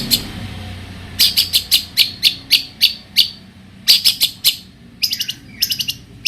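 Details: Long-tailed shrike (cendet) song meant to draw answers from other shrikes. About a dozen crisp, high ticking notes are evenly spaced, then come faster runs and short paired chirps, with faint background hiss.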